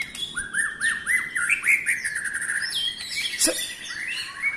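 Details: White-rumped shama singing to rile other shamas: a string of clear, looping whistled notes, each bending upward then down, followed by higher sliding whistles and a sharp click.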